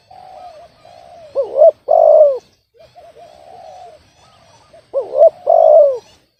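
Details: Off-key spotted dove. Quieter, drawn-out background coos are broken twice by a loud close phrase of stuttered notes, a sharp hooked coo and a long harsh falling coo.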